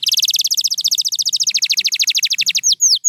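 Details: Pure white canary delivering a fast, steady trill of short high notes that gradually descend in pitch, ending with a few separate drawn-out falling whistles.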